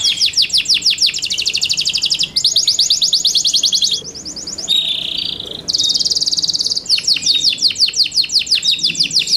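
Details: Captive Yorkshire canary in song: fast repeated high trills alternate with steady buzzy rolls and a brief lower tone, the phrases running almost without pause.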